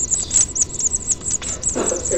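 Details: Large House Finch nestlings being fed at the nest on 6/6/07 give rapid, very high, thin chittering begging calls in quick bursts, with a brief low murmur of a person talking indoors near the end.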